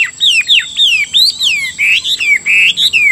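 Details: Caged Chinese hwamei in Vietnam singing a loud, varied run of clear whistled phrases, each sliding down in pitch, about two per half-second, with a steady high electronic tone behind.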